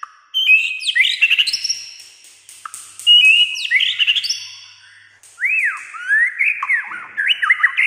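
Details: White-rumped shama in full song, described as singing nearly all day in many voices; rich varied phrases of sliding whistles, upsweeps and looping arched notes, given in three loud bursts.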